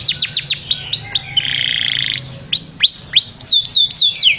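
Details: Canary singing a mating-stimulation song: sharp downslurred whistled notes in quick succession, then a dense buzzy roll, then more high whistles that sweep steeply downward.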